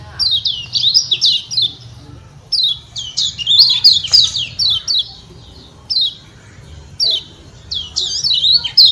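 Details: Ciak-ciak calling of a Lombok lemon-bellied white-eye, a call said to trigger other white-eyes to respond: rapid runs of high, slurred chirps in bursts of several notes separated by short silences.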